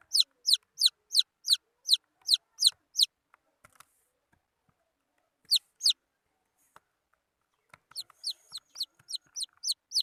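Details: Wild chicken chicks peep in a fast run, fall mostly quiet with faint clicks, then give a pair of peeps and resume softer peeping.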